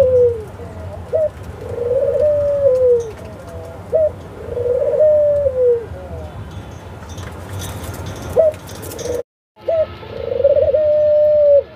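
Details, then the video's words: An Australian dove gives soft, low cooing: a short upward note, then a long drawn-out coo, repeated about every two seconds, with a brief silent break near the end. "Australian Dove Sound"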